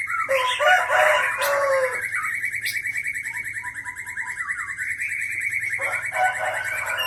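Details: White-rumped shama of the Aceh Leuser type, caught in 2013 in Pining district, Gayo Lues, Aceh, with natural fill-ins likened to a rolling waterfall. Loud varied phrases, then a long, fast, even buzzy trill and soft whistles over a low hum.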